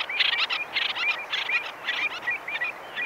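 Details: Common terns (Sterna hirundo) give conversational calls recorded medium close-up: harsh, grating high calls in quick bursts, about two a second, with an oystercatcher and a lapwing piping in the distance.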